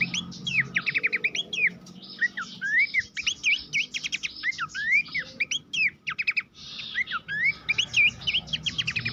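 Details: Master song of Horsfield's babbler for training contest songbirds: a continuous chattering medley of bright whistled upslurs, sharp ticking notes and looping phrases over a faint low hum.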